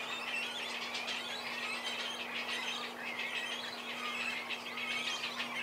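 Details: Cormorant young squealing for food while being fed by their parents, who alternate at the nest; a busy, shrill wash of overlapping squeaks and chirps rising and falling in intensity, with a steady background hum.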